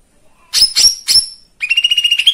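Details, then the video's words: Lesser green leafbird (cucak ijo mini) song used to stir other birds to sing: three sharp high whistled notes, then a fast buzzy trill of repeated pulses. "Pancingan anti bisu !! Cucak ijo mini,, menambah birahi dan emosi,, cucak ijo mini anda.."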